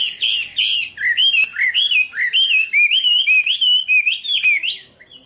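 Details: Chinese hwamei song of varied, loud whistled notes, slurred up and down in quick succession with a few sharp clicks between phrases.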